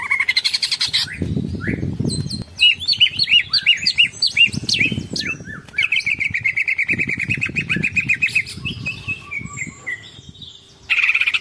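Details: A Greater green leafbird (Chloropsis sonnerati) sings a long, continuous song: a varied stream of sweet whistles, sweeping chirps and a buzzy steady trill, over soft low rumbling noise.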